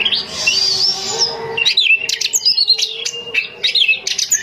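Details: Female Oriental magpie-robin, kept at home, calling males with a long sliding whistle that gives way to quick, varied chirps and sweeping whistled notes delivered in rapid bursts.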